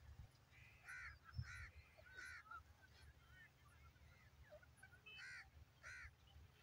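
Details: Grey francolin (teetar) calling in harsh, nasal, honking notes, mostly in pairs, repeated roughly every second over several seconds, with a low rumbling hum and light background noise.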